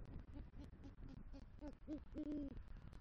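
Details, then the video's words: Great horned owl at a Southwest Florida eagle nest on the night of 3 November 2023, the male bringing a rodent and calling to the female; rapid short, deep hoots end in one longer, drawn-out hoot. "Male GHO Brings Rodent Prey To Nest & Calls For Female"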